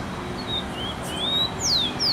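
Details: Rufous-collared sparrow in São Paulo, Brazil, on 20 October 2022, singing clear, high whistled notes, a few slurred upward, then two sharp falling whistles, over a steady low background hum.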